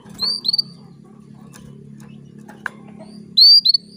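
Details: Female canary calling to rouse a male into breeding: a pair of upward-sweeping whistled notes, a long pause, then another loud pair, over a constant low hum.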